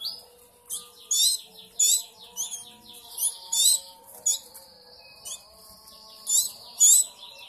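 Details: Begging canary chicks aged three weeks during hand-feeding: scattered clusters of thin, very high chirps with pauses between, and a steady high whistled tone held for a couple of seconds in the middle.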